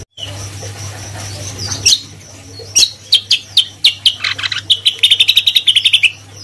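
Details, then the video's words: Vigorous gacor singing of a greater green leafbird: loud, sharp, high notes repeated in quickening series, ending in a fast bright trill, with a constant low hum underneath. "Suara Cucak Kombo Gacor"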